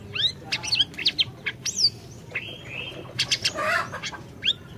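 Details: Orange-bellied leafbird song used as a lure for a bird that has stopped singing: rapid, varied whistled phrases with looping and slurred notes, a buzzy stretch midway and a rough chattering burst toward the end.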